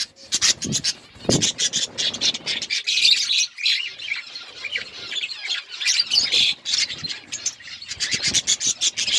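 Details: Outdoor colony of budgerigars chattering: busy overlapping chirps and harsh squawks, with a few lower rasping scratches or rubbing noises near the start, the chorus rising and falling in loud bursts.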